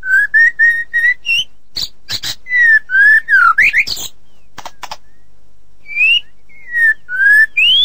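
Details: Tutoring recording of white-rumped shama song: a series of clear, slightly rising whistles, then a burst of harsh broadband rasping notes, a pause, and more sliding whistled phrases climbing higher at the end.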